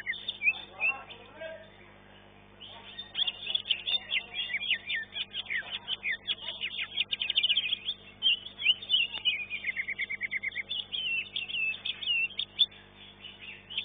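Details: Greater green leafbird in a caged singing competition, placed second in its class; long, varied, energetic song of rapid chirps, whistled slurs and trills, almost unbroken after the opening seconds, with soft background hum.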